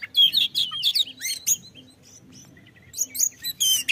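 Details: Song of an oriental magpie-robin, played to get other birds singing; rich warbled whistles and buzzy notes, a short quiet spell with faint thin tones, then piercing high notes again, low hum beneath.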